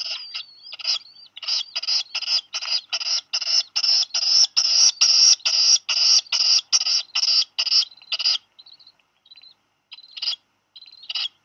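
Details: A black guillemot chick about 12 days old, at Seal Island National Wildlife Refuge, Maine, on 8 July 2020 in the afternoon after dropping a fish, gives about eighteen fast shrill peeps, then a few fainter ones.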